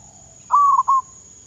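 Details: Zebra dove (perkutut) in Thailand, trained as a decoy, uttering one cooing phrase: a smooth held note dipping into a quick pulse and a final short note, with quiet background hum.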